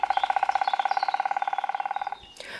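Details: A Black Woodpecker in Paris woodland drums a fast, even roll of about 35 resonant strikes over two seconds, ending abruptly, then a faint knock. This is breeding-season drumming from January that marks territory and calls females, audible up to nearly a kilometre.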